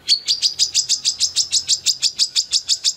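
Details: Steady rapid series of thin, high chirps, about three per second and evenly spaced, from a female Brown-throated Sunbird singing hard with open beak.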